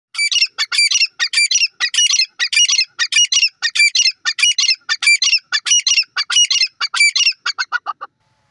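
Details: Grey francolin calling: loud, harsh, squawking notes in quick rhythmic bursts, roughly one and a half per second, run on steadily for about eight seconds, then fade at the end; no other sounds present.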